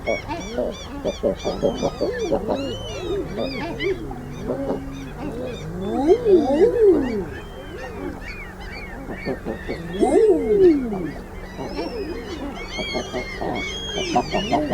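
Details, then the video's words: Common Eiders give soft, moaning cooing calls that swoop up then down, like a surprised 'ah-OOO', from several birds overlapping in a busy chorus. "Common Eider"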